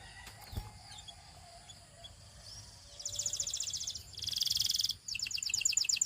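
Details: Canary singing practice recording: a quiet, hissy start with faint thin notes, then three bursts of rapid, rattling trills from the third second onward, each about a second long, the last the loudest.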